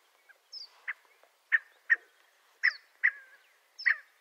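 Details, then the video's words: Scaled quail from western North America giving paired calls, a thin high note followed by a stronger, lower nasal note, six pairs about a second apart in a quiet setting. "Scaled Quail Call"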